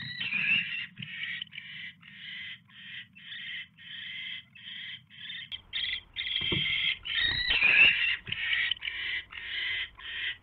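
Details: Owl during a mouse delivery at the nest on the evening of January 29, 2016; repeated rasping hisses, some merging into longer rough bursts, with a few thumps and knocks partway through.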